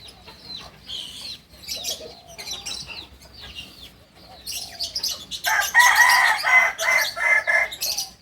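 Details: Native kukuak balenggek rooster of Solok, West Sumatra: after several seconds of mixed chirping from other birds, a powerful, rhythmic crow breaks in, pulsing through about six evenly spaced, ringing syllables.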